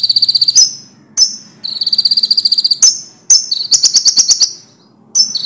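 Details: Common iora, loud, singing as a tutor song for training songbirds: rapid high buzzy trills of pulsed notes alternate with sharp downslurred chips, phrases separated by short pauses, a faint low hum underneath.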